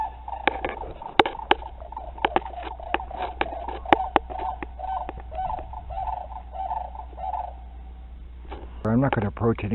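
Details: A couple of sandhill cranes flying by: repeated rolling, rattling calls punctuated by sharp clicks, followed by a person speaking at the end.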